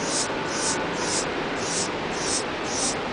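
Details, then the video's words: An adult male Anna's hummingbird (Calypte anna) sings in the Desert Dome at Omaha's Henry Doorly Zoo on 3 March 2007: very high, scratchy, buzzy phrases about twice a second over a steady background hiss. "Anna's Hummingbird Song"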